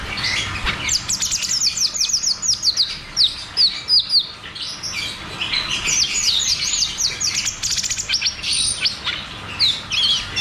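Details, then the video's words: Caged cucak cungkok in rapid rolling song, used as therapy and a lure to prompt silent caged birds to sing: dense runs of high, sharply sliding whistled notes and chattering trills, almost continuous over ten seconds. "Therapy dan Pancingan Burung Macet Bunyi || Cucak cungkok Ngeroll tembak"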